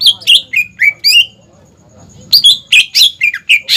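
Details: Greater green leafbird in vigorous song for training young birds: a burst of quick falling whistles, a second-long silence, then a denser flurry of sharp chirps and slurred whistles.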